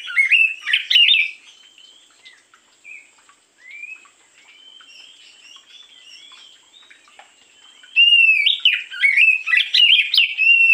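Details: Morning song of an oriental magpie-robin as a lure: a loud burst of varied warbled whistles, a quieter stretch of faint distant notes, then another long loud run of rich, rapid whistled phrases.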